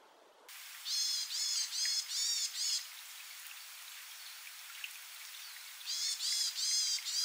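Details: A varied tit gives calls and song: two bursts of about five nasal, harmonic notes, high and rapid, with a short pause between bursts over a faint steady hiss.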